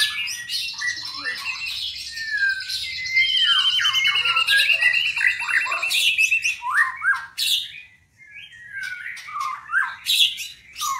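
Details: White-rumped shama, captive-bred albino or blorok mutation, pouring out a dense, rapid song of chattering trills, buzzy notes and sliding whistles with hardly a pause. There is a faint low hum indoors.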